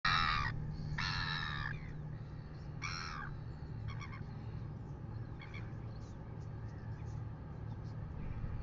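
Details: Red-billed gulls harassing a royal albatross at 6:27 AM on a New Zealand live camera: three loud, harsh, raspy squawks in the first three seconds, then fainter, shorter calls, over a steady low wind rumble.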